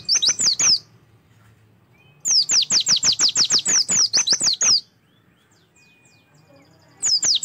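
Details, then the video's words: Singing Oriental white-eye, a recording played to prompt birds to open up in song: long rapid strings of thin, high, downslurred chirps, roughly three per second, broken by a pause before another burst begins. "PANCINGAN AMPUH SUPAYA PLECI LANGSUNG BUKA PARUH"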